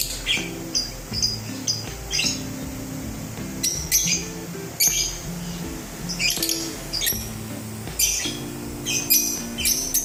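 Lovebirds give sharp, high, scratchy chirps in bursts every second or two, over a steady music track with low, held notes.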